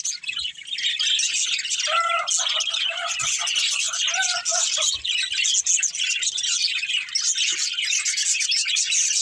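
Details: Playing budgerigars in a family group: constant high chirping and squeaking from several birds, plus two short lower warbled phrases partway through that stand out from the dense chatter.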